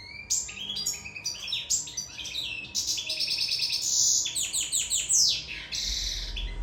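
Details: European goldfinch of Sicily, in love, delivering a continuous stream of twittering chirps and buzzy rattling trills, rhythmic bursts about once a second; low thump near the end.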